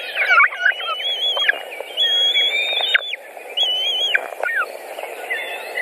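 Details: Feeding time at a white-tailed eagle nest in Latvia, June 2019, after a pike delivery. Reedy, wavering whistles rise and then drop off, given in uneven bursts with short gaps.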